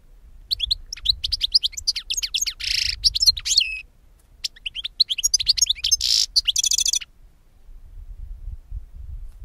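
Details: Goldfinch, a song used for bird capture, delivering two long bursts of rapid liquid twittering mixed with harsh buzzy notes and a closing rattle, separated by a short pause.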